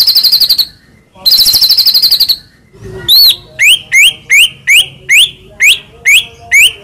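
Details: Murai batu, the white-rumped shama, in a full-repertoire training song: two fast buzzy trills, then a string of sharply rising whistled notes repeated roughly every half second.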